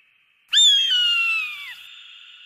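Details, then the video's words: An eagle's piercing, whistled scream: a sudden bright onset, a steady gradual downward slide for about a second, then a drawn-out ringing fade. "SUARA MASTER BURUNG ELANG || eagle and its distinctive voice"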